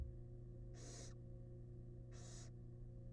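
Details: Wild barn owls in a monitored nest box as the male brings a huge rat to his family. Two harsh, broadband hissing screeches about a second apart over a steady low electrical hum.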